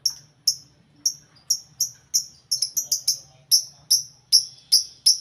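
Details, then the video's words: Several lovebirds in one cage, busy and noisy; quick shrill squeaks about two or three per second, bunching into a faster burst midway, with a steady low hum behind. "Ginilah Akibat Burung Lovebird Di Buat Satu Kandang Bikin Ribut Sampek Gacor Kali"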